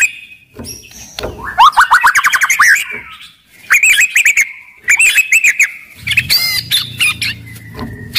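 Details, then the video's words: Loud, lively white-rumped shama singing as a lure for less vocal shamas: fast rolling trills of rising notes, then quick repeated chips over a steady high whistle, ending in scattered sharp notes. "MURAI BATU GACOR , CEPAT MERANGSANG BUNYI, GACOR & FIGHTER"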